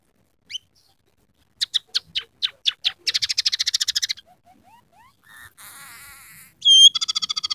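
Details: Scaly-breasted munia (emprit peking) singing hard, with fill-in phrases of canary, sparrow and red siskin. A few spaced sharp chips speed into a fast rattle, then soft rising whistles and buzzy warbling give way to a piercing whistle and chatter.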